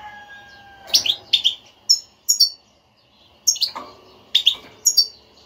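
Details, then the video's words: European goldfinch batbata played to excite a silent goldfinch into singing; a fading whistled tone opens, then clipped high chirps come in pairs and threes with brief silences. "حسونك لا يغرد أسمعه هاته البتبتة"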